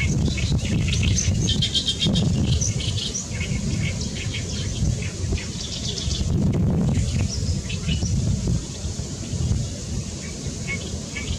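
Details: Great reed warbler singing loudly on 14 May 2021: rapid, grating chatter with scattered high squeaks, pausing briefly midway, over a persistent low wind roar.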